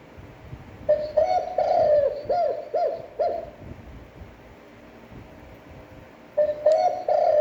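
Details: Spotted dove giving a standard, fairly long cooing phrase used to rouse decoy birds: a drawn-out low coo followed by short, dipping coos. The phrase repeats after a pause, and soft room noise sits underneath.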